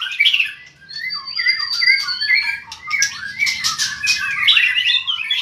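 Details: White-rumped shama, fired up and singing in fighting style with strong tail-flicking: fast medley of fluty whistles, rising slurs and scratchy chatters in dense bursts after a short early pause, faint low background hum.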